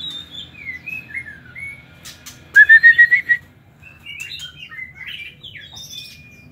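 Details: White-rumped shama kept in an aviary: soft whistled warbling phrases sliding up and down, then a loud burst of six rapid, clear whistled notes at one pitch, rising slightly, followed by more varied twittering warbles.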